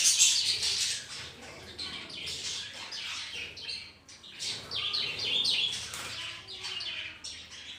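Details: Budgerigars living as a colony indoors alongside ring-necked parrots: continuous high, buzzy warbling and twittering from several birds, rising and falling in loudness with overlapping squeaky chirps.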